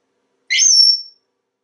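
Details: Single loud, shrill whistle from a talkative pet African Grey Parrot kept at home in Texas, held briefly and then cut off, in a quiet indoor room.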